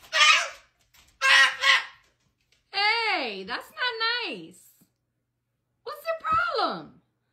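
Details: A pet cockatoo fussing at bedtime around 10:15 at night, not wanting to go to bed, gives harsh, wavering screeches with falling harmonic sweeps, about five bursts over seven seconds, while a person speaks in a small room.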